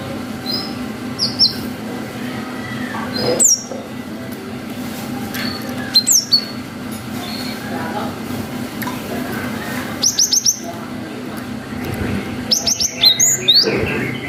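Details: Cinereous tit in long 'wucit' song used to make young birds respond: scattered short bursts of high, thin whistled notes every few seconds, with long quiet stretches and a low continuous hum.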